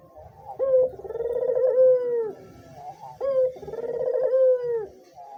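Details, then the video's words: Lively white dove coo used to train or stimulate other doves: a brief sharp opening note followed by a drawn-out, vibrating coo that falls away, two phrases about 2.6 seconds apart, with a soft low rumble beneath. "suara burung puter putih gacor dor"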